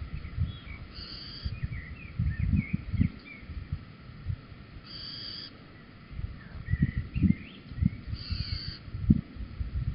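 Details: Little owl at Holten, 4 May 2020 at 21:16; the male brings a cockchafer and the pair leave together. Short, high, clear notes sound about every three and a half seconds, with soft chirps in between, over low rumbling background noise.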